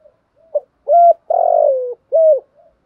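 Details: Spotted dove giving the "thúc" style with "gù" coos: a faint short note, a steady mellow coo, a long throaty descending purr, then another even coo, all low and soft in tone.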